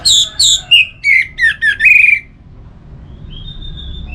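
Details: Orange-headed thrush song from Singaraja in northern Bali, meant to encourage singing: two high downslurred notes, then a string of loud slurred, descending phrases, fading to a faint thin whistle.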